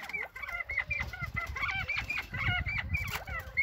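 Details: Northern bobwhite chatter: rapid, repeated arched whistled notes, several birds overlapping in a busy patter, with low thumping noise underneath.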